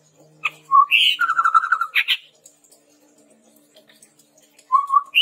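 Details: Chestnut-rumped babbler singing for use as a training lure: a low whistle, a harsh burst and a rapid chattering run, then after a pause more low doubled whistles and a harsh upward note.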